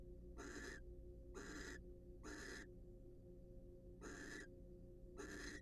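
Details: Harsh hissing screeches from wild barn owls during mutual preening and courtship in a monitored nest box. There are five rasping bursts, three evenly spaced, then a pause before two more, over a low hum.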